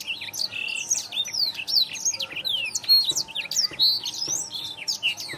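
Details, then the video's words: Masteran training recording of a blackthroat singing: a dense, fast medley of high whistled slurs, chirps and short trills, tumbling notes packed together, with a faint low hum underneath. "masteran burung blackthroat"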